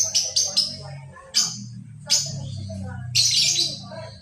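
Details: Lovebird giving its ngekek song, recorded as lure audio: bursts of high, shrill chattering come in quick runs near the start, then single bursts, and end in a longer rattling spell, over a low steady hum.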